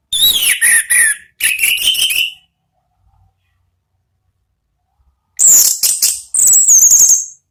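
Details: Orange-headed thrush in ngeplong-style song, played to lure other birds: two loud whistled phrases with falling and rising slurs, a pause of about three seconds, then two higher, shrill, trilled phrases.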